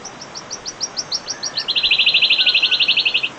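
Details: Wild wood warbler, known locally as cikrak daun, singing: a series of high, spaced ticks that quickens and drops slightly in pitch, then runs into a fast, shivering trill lasting over a second, with quiet background noise.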